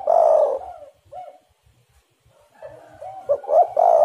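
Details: Spotted dove lure call: a loud hoarse purr, a short soft coo, a pause of near silence, then softer coos building into stuttering notes and another strong rolling purr.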